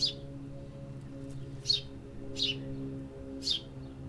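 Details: Urban birds in a city, giving brief bright chirps at irregular intervals, four in all, with a constant low drone of city noise underneath.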